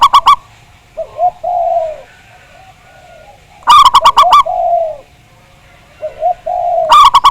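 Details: Local zebra dove song in a lure recording, with a big voice. Rapid bursts of bright, ringing notes roughly every three seconds, each trailed by two short coos and a long, smooth, falling coo.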